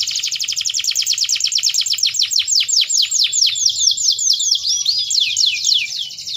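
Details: Canary singing powerfully: a long run of rapid, high, sweeping whistled notes repeated more than twice a second, shifting into faster rolling trills and varied slurred phrases, continuous throughout with a faint low background hum.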